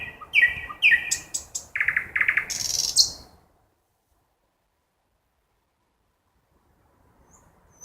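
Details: Night song of a nightingale in woodland, opening with repeated falling whistles and moving into a dense, buzzy rattle of rapid notes before stopping abruptly into silence.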